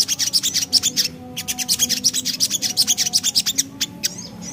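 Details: Javan black-capped babbler singing ngriwik: two long trains of rapid, sharp, high-pitched chattering notes split by a short pause, ending in softer scattered calls, with a low hum in the background.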